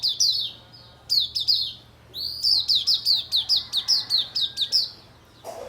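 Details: Oriental white-eye song on a bright morning, bursts of quick, high, sharp chirping notes in tight clusters, a short pause, then a long regular series of bright twittering notes.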